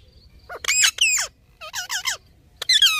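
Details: Indian ringneck parakeet talking: bursts of harmonic, speech-like syllables, some rising and falling in pitch, in three groups separated by short pauses, with a faint high hiss behind.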